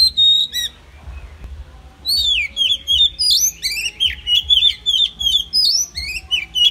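An Oriental magpie-robin sings a rich, varied run of clear whistles and sweeping slurred notes, delivered in quick phrases after a brief pause.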